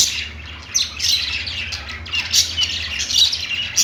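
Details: Perched pet budgies give clipped, high twittering calls and brief squawks, spaced in short bursts with quieter gaps between, and a low constant hum behind them.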